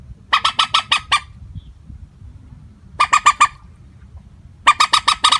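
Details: Lure call of a common moorhen for net trapping, unvaried in tone: three rapid bursts of five rasping, honking notes separated by roughly two-second pauses, with faint low hum beneath.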